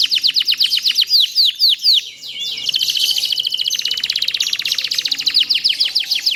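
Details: Canary song used to train other canaries to sing at length: a run of loud descending whistled sweeps repeated about four per second, then a dense fast trill of rapid chirping notes continuing to the end.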